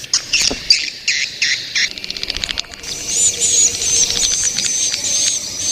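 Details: Young swiftlets calling: a series of high, buzzy chirps in quick bursts, then a rapid run of dry clicks leading into a thin, sustained high twittering.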